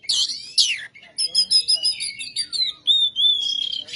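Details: Oriental magpie-robin (kacer) in loud, vigorous 'ngebyak gacor' rough-material song: harsh buzzy bursts, then bright whistled notes and a long level whistle sliding slightly downward near the end.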